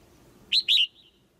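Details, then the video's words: Caged female bird calling to make the male sing louder: a pair of bright, quick whistled notes, the second drawn out and sliding downward, trailing off softly. "เสียงนกตัวเมียร้องเจี๊ยก ๆ ในกรง กระตุ้นให้นกตัวผู้ร้องแรงขึ้น"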